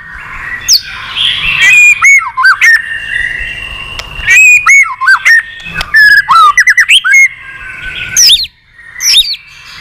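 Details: White-rumped shama, a seasoned wild-caught bird singing many varied voices while flicking its tail, delivers swooping whistled notes, loops and quick clusters of sharp chips with short pauses between phrases.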